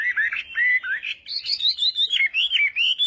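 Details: Morning voice-training song of a Chinese hwamei, a flowing series of clear whistled notes, slurring up and down, climbing higher midway, rapid and continuous.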